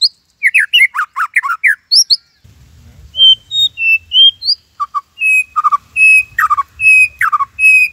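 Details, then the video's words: White-rumped shama, kept bird, in Cililin 'tembakan' song: fast slurred whistles, then pure level whistles and repeated high piping notes with occasional deeper slurs, faint low hum behind. "Murai Gacor !! tembakan Cililin Cocok Buat Masteran upgrad isian Murai"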